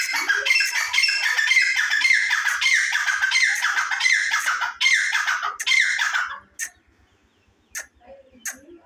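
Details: Grey francolin, known locally as dhakni teetar, calling: loud, harsh, squawking notes repeated rapidly in a dense, ringing series for about six seconds, then breaking off into a few faint, scattered clicks and soft sounds.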